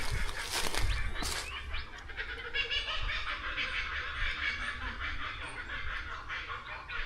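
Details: Kookaburras in Australian rural bushland going crazy in a raucous laughing chorus, loud rolling cackles rising and falling without pause, with a man's voice, laughter and a low rumble underneath.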